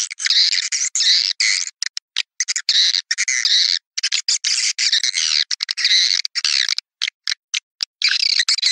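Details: Playback of swiftlet calls meant to draw swiftlets to nesting houses: loud, continuous harsh chattering chirps in irregular bursts, with brief gaps and a few clicks between.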